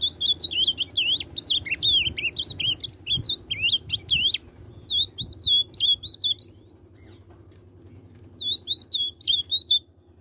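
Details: Ultramarine grosbeak singing in the style called tucano: rich, rapid warbled whistles that slide up and down in a loud four-second burst, then short phrases after pauses, with a final burst near the end; faint low hum underneath.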